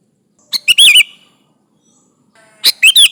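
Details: Sooty-headed bulbul singing to call rivals, used as a lure: two bright gurgling phrases of three or four quick whistled notes, separated by about one and a half seconds of quiet.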